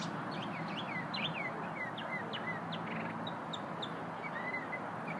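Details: An unknown small bird sings during a lunch break, mixing varied whistled slurs and sweeping notes, some rising and some falling, over steady low background noise.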